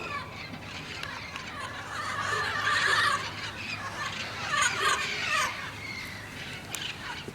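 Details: Parrots gathering in a flock at sunset in Glendale, California, numbers growing from a few to hundreds: dense overlapping harsh squawks and screeches forming a constant noisy chatter.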